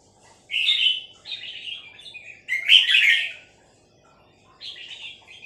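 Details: A female red-whiskered bulbul gives its three-syllable song: bright, slightly buzzy warbled phrases, two close together, a louder burst near the middle, then a softer closing phrase after a pause.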